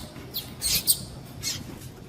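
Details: Double-collared seedeater female calling to excite males ahead of singing contests. A quick cluster of thin, high chips, two almost joined, then one more after a brief gap, with low hum beneath.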